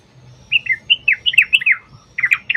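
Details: Sooty-headed bulbul song, a lure for making bulbuls sing; a short phrase of slurred, liquid whistled notes rising and dipping, followed by a second brief burst.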